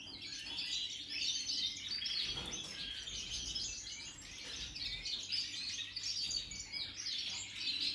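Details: European goldfinches described as Major type, new in 2023, pour out fast, high-pitched twittering song, busy chirps and rolling trills packed closely together for the whole stretch, over a soft steady low hum.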